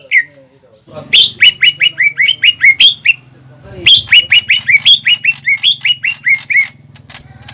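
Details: Greater green leafbird singing strongly as a lure for young or novice leafbirds, delivering two fast runs of repeated, down-slurred whistled chirps over a steady low electrical hum.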